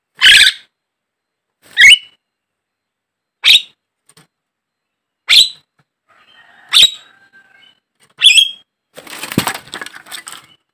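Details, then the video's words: Javan myna sound used to coax caged mynas into song: harsh rasping squawks about every one and a half seconds, some ending in a short whistle, closing with a burst of noisy chatter. "pancingan, pikat burung jalak kebo, mustahil kalau tidak ikut gacor burung jalak anda"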